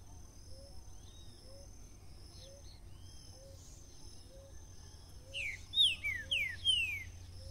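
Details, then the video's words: Green-winged saltator singing in the bitola song style: after five seconds of quiet with faint low soft notes repeating in the background, a burst of loud, clear whistled notes, each sliding sharply downward, tumbles out in quick succession. "O CANTO DE UM TRINCA FERRO BITOLA"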